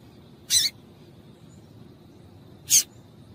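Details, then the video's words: Female double-collared seedeater giving calls that stimulate males to sing: just two loud, raspy, high chips about two seconds apart, otherwise quiet apart from faint low hum. "Piado de Fêmea de Coleiro para Esquentar Coleiro"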